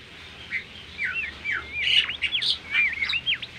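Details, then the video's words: Bimoli, a tame captive songbird, singing a melodious training song: a busy run of varied whistled notes, swooping and rising slides and short chirps in quick succession, bright and high-pitched, with faint steady background hiss. "masteran merdu burung bimoli gacor"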